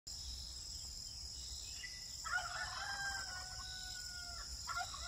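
A rooster gives one drawn-out, harmonic crow lasting about two seconds that holds steady, then tails off, over a constant high insect drone.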